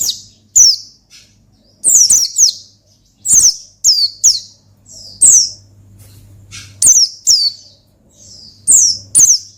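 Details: Lively 'ngalas' song of an Oriental white-eye, used to summon and provoke a rival bird: rapid clusters of piercing high notes that slide downward, some doubled or tripled, with short silences between bursts and a faint low hum underneath.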